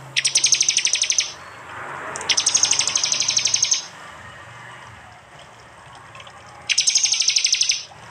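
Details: Prinia 'tembakan' volleys from East Java used as a training model for songbirds: three bursts of very rapid, high, metallic ticking notes, each lasting about a second, separated by quiet gaps with a low steady hum.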